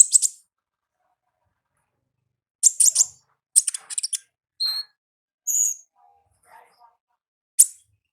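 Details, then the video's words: Olive-backed sunbird in the wild: short bursts of high, rapid ngalas-style chirping and a few thin whistled notes, separated by pauses. The surroundings are otherwise quiet. "Suara Asli Ngalas Konin Ninja di Alam Liar"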